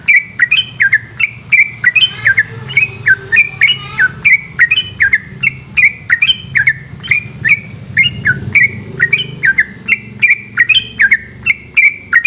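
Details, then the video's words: An extended night-time 'ropel' song from a yellow-vented bulbul in Indonesia: lively, quick whistled notes repeated continuously for twelve seconds, with a brief scratchy passage early on and a low hum underneath. "burung trucukan gacor ropel panjang dimalam hari"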